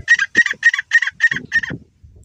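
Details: Grey francolin giving six loud, rasping notes in an even rhythm, each short and strident, before falling silent amid a few soft low background sounds.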